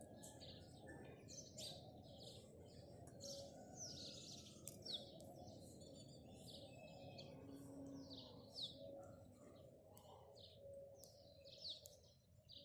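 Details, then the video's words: Morning house sparrow chirping: a long run of short, bright, repeated chirps, loosely spaced, with a constant low rumble of background noise underneath. "goriya bird sound | goriya bird morning view"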